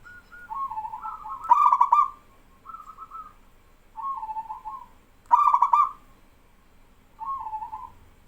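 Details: Male local zebra dove in strong song with answering doves: alternating soft wavering coos and two loud rolling pulsed trills, one repeated about four seconds after the other.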